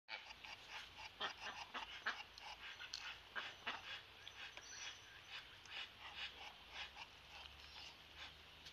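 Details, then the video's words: A pet Muscovy drake, said to "talk" all day, gives breathy, huffing hisses in quick irregular bursts, like panting, with a soft outdoor hum behind. "Muscovy Duck Drake tries to talk."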